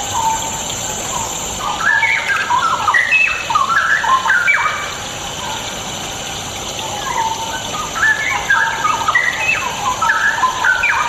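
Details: Straw-headed bulbul song used as a lure to get reluctant birds singing: rich, bubbling, warbled phrases of stepped rising and falling notes, delivered in two long bursts with a short pause between, over steady high background hiss.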